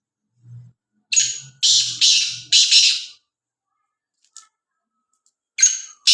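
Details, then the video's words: Black francolin calling near Khushab: a run of harsh, grating, rasping notes, three long notes in close succession, then a pause and two more. Faint low sounds come before the calls. "kala teeter ki awaz"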